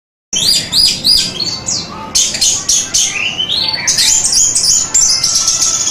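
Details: Orange-headed thrush singing in a master recording meant for training pet birds: dense, rapid run of high, varied chirps and slurred whistles, some notes harsh and squawky, with a few quick rising sweeps.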